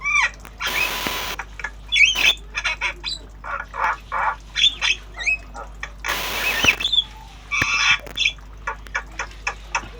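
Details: Tame Javan myna, kept bird, in obyogan style while learning sounds: harsh squawks and rasping bursts alternate with short rising whistles, notes repeated rapidly in uneven series, with two long broadband hissing bursts.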